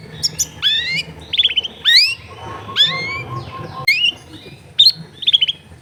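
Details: Long-tailed shrike recorded at home in a crowded neighbourhood, used to coax a lazy bird into singing: a sequence of rising, sweeping whistles and quick high chips, with faint low household hum beneath.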